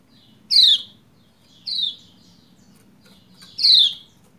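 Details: A female Lombok white-eye calls to prompt a quiet male into singing: three piercing, falling chirps roughly 1.5 seconds apart, the first and last strongest; faint hum below.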